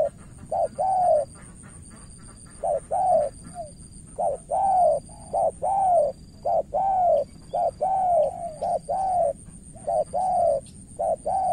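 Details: Cà Mau spotted dove used as a decoy, cooing against a skilled opposing bird. It gives a long series of short-then-long coo pairs, sometimes overlapping as if two doves answer each other, under a constant high whine.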